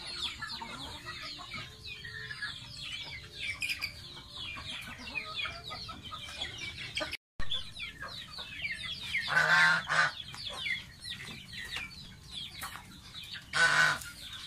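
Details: Domestic goose baby, a pet, bathing: chains of high squeaky peeps throughout, interrupted by a short gap and two loud broad bursts of splashing or flapping noise later on.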